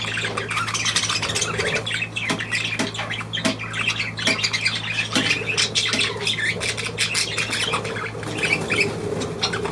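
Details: Budgerigars dated 23 June 2023 squawk and chatter nonstop, the grating notes and short clicks closely packed, with a low droning hum in the background.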